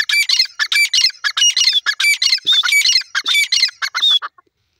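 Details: Francolin giving a loud series of hoarse, grating calls, fast and uneven, with faint whistled overtones, ending abruptly in silence.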